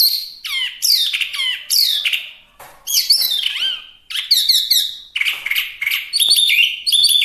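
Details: Chinese hwamei, called wambi mini, singing rich varied phrases: descending slurred whistles, looping notes, and bursts of quick repeated ringing syllables.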